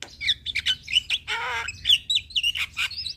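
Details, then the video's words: Black-winged starling song used as a lure for stressed captive birds: a fast jumble of whistled slurs, harsh squawks and a grating nasal note, loud and continuous. "Terapi Jalak Kebo Malas Bunyi / Jalak Kebo Stres Gak Mau Bunyi - Pancingan Burung Jalak Gacor"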